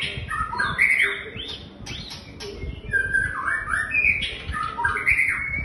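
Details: White-rumped shama singing a varied song of rich whistled phrases, sliding and warbling notes mixed with sharp high chips, continuous over background rustling and low noise.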